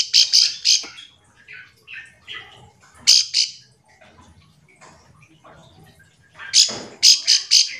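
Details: Bar-winged prinia giving a calling-friends call meant to provoke other quiet prinias into answering; three loud buzzy high notes open, softer chirps follow in the middle, then a fresh burst of five sharp notes near the end.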